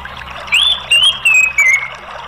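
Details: Orange-headed thrush, a caged bird in Indonesia, played as a prompt to get a silent bird singing: clear whistled phrases, first rising then a series of slurred notes sliding high, four short bursts over two seconds, quiet background.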